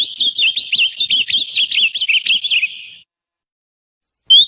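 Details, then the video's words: Ultramarine grosbeak giving a warming-up song: a rapid run of whistled, warbled notes that swoop up and down for about three seconds, then silence and one short clear whistle at the end. "ESQUENTA AZULÃO/ VERDADEIRO PEGA FOGO."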